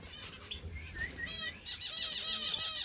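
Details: Pet finches kept at home giving a run of high thin whistles and quick chirps, some notes sliding downward, growing denser and busier toward the end over faint rustling.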